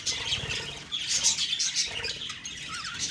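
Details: Budgerigars chirping on a morning of October 2, 2023: a dense, continuous chatter of high, thin twitters and short squeaky notes from several birds at once, with no pauses.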